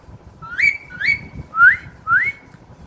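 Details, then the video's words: Clear whistling from a parrot kept at home that has just begun to whistle: two rising notes ending in held tones, then two smooth upward slurs. "Mithu siti marne laga hai"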